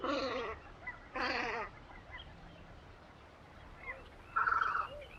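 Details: Velvet scoter recorded at Liepāja, Latvia, in March 2024: two loud, harsh, rasping bursts about half a second each, a second apart, then a buzzier note near the end, with faint softer calls between.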